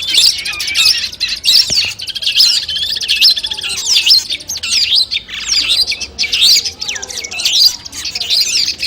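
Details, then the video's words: Long-tailed shrike song used before a contest: loud, varied phrases of sweeping whistles and harsh chatter, delivered in bursts of roughly one per second. "masteran kumpulan suara cendet tes mental sebelum lomba"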